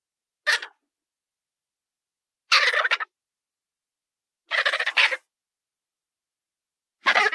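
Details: Colourful parrot making harsh, raspy, broadband squawks, four bursts spaced about two seconds apart, the middle ones longer and rough.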